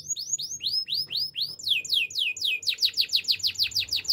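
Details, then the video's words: Canary singing a Timbrado-style training song: clear rising whistled notes in steady series, speeding into a quicker run of downward-sweeping notes, about three per second, on a quiet background. "Canary's Training Song"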